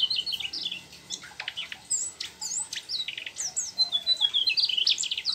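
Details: Mugimaki flycatcher singing busily in a rolling style, delivering learned phrases of the trucuk: rapid high whistled notes and twisting slurs, with sharp clicks and short buzzy bursts, nearly continuous with brief gaps.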